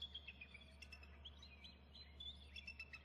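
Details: Eagles calling at the nest: an adult flaps and calls, its mate answers and a third eagle is heard; jumbled high squeaky chirps overlap almost continuously throughout, with a constant low electrical hum beneath.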